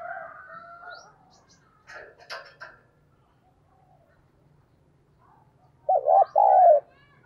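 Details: Spotted dove used as a decoy bird, giving a coo in the đồng pha voice style with urging and calling coos. A soft tonal phrase opens the clip, then a short loud wavering, warbled coo ends it after a quiet gap.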